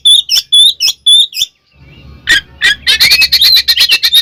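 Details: Oriental magpie-robin in clear, loud fighting song, used to make rivals aggressive: a few high piping whistles with harsh overtones, a brief pause over low hum, then a fast run of buzzy chattering notes.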